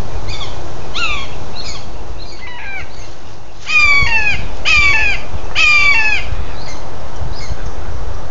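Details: Young red-shouldered hawks growing up in a back yard give harsh, downslurred kee-ah calls, repeated about every second and louder in the second half, over a low steady rumble.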